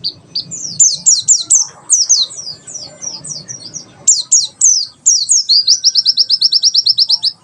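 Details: White-eye giving 'tembakan sejalur' song, meant as a bird-training master: shrill, rapid slurred notes in bursts, ending in a fast even trill of about twenty identical high chips, faint low background hum.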